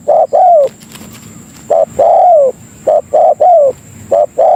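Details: Lure call of a spotted dove (tekukur) for attracting fellow doves: clear low cooing in phrases, one or two clipped notes then a drawn, downward-curving coo, repeated steadily over a quiet background.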